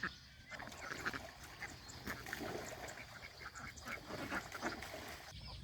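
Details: Goslings and grown geese grazing fresh grass at a countryside farm pond; continuous mix of chattering and honking calls from many birds, with faint trickling water.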